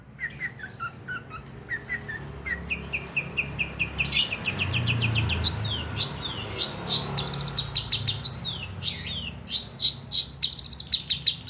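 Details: Long-tailed shrike song played to coax shrikes that have stopped singing: bright, high chirps and sharp rapid notes in irregular bursts, getting busier toward the end, over a steady low rumble.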